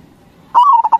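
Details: Zebra dove of the local crossing type from Indonesia, singing hard: a loud, clear drawn note easing downward, then quick short coos, the phrase cut off at the end.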